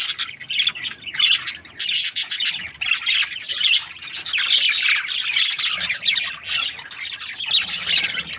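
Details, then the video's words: Budgerigar breeding pair chattering contentedly, a continuous stream of high, buzzy squawks and twittering chirps running almost without pause, slightly harsher and more squawk-like than plain whistling. "Happy budgies chirping sounds | parakeet breeding pair"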